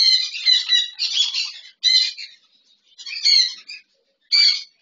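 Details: A double red factor sun conure and a normal sun conure playing in an aviary, giving harsh, raspy squawks and chattering bursts in quick runs, broken by brief pauses, with a final loud screech.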